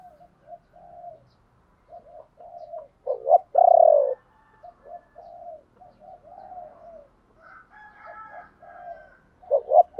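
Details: Cooing of a decoy spotted dove luring wild birds, in the ba hậu style: soft low coos, a louder burst of deep cooing midway, a brief higher fluttering sound, and strong coos closing the phrase.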